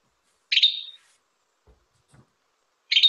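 A Western Tanager gives two short, hoarse, burry phrases, spaced about two seconds apart, with a couple of faint low thumps between them.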